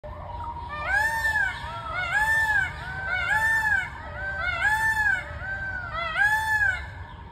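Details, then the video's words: A peacock (male Indian peafowl) gives loud, arching, nasal wails, about five in quick succession, each rising then falling, over a low background rumble. "Peacock sound"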